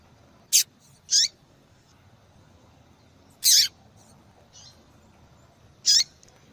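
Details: Calling female double-collared seedeater, whose call draws males and is played to encourage a silent male to sing; four short, piercing high chips spaced about a second or more apart, with fainter soft notes between.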